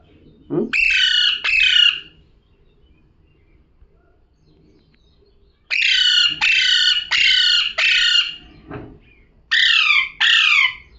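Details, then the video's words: Parrot repeating harsh, strident squawks with a falling inflection, first a pair, then a rapid run of four, then another pair after a pause; faint low knocks, otherwise quiet. "Parrot #talking"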